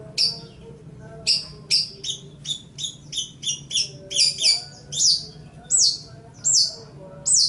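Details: Song of a Long-tailed shrike recorded as a master track for teaching other songbirds: high, sharp descending chirps in quick succession, repeated roughly once per second over a low background hum.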